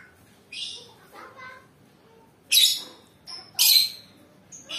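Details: Lovebird chirping in short, sharp, high bursts spaced about a second apart, fairly soft, with faint voices in the quieter stretches.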